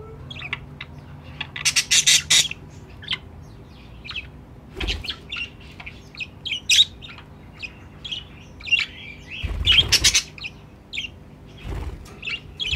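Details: Pet budgerigars, a future breeding pair, filmed by their nest box: continuous high chirps and squeaky warbles with several loud harsh squawk bursts, plus a few dull knocks and thumps.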